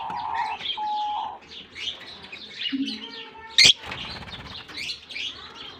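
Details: Lovebirds released into their colony in Germany for summer chirp busily in high, scratchy notes, with steady whistled tones early on and a loud sharp clap partway through, possibly wingbeats.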